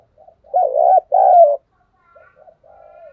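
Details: Decoy spotted dove cooing, meant to get wild and decoy doves calling on rainy days when they are reluctant: two loud, low hollow coos with a slight wavering, then softer, broken coo notes trailing off. No other sounds.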